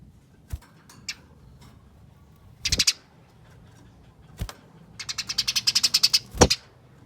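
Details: Eurasian tree sparrow fighting chatter, used as a lure to make other sparrows sing: scattered faint clicks, then a rapid, dry, high chattering burst of tight repeated notes near the end, with a few low thuds.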